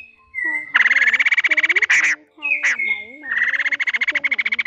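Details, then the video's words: Laughingthrush pair, male and female, call the flock for trapping: long bursts of rapid buzzy pulses repeat, separated by sharp explosive notes and a short whistled phrase, with soft low tones underneath. "Tiếng Khướu Ngực Hồng Trống Mái Gọi Bầy"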